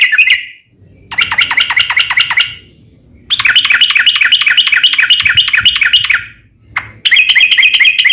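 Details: Rapid yellow-vented bulbul song in bursts, used to make other bulbuls sing: three dense runs of quick, chattering bubbly notes, each lasting one to three seconds, separated by brief quiet gaps.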